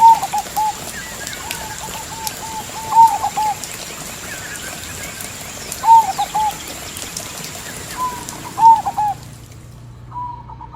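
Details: Crossbred zebra dove singing actively with a big voice in the single-note vokal engkel style. Soft rolling coos recur about every three seconds over a steady background of nature sounds with high insect-like hiss.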